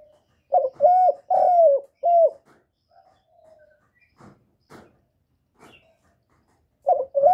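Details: Spotted dove calling to lure wild doves: deep, mellow cooing phrases, three loud rolling coos in quick succession, then soft faint notes and a fresh coo starting at the end.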